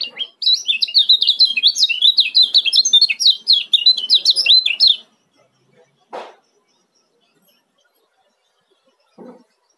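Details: Fast, close-set ciak calls from a male Lombok kecial kuning used to coax silent birds into singing: nearly five seconds of quick, high, zigzag chirps, then quiet with two dull knocks.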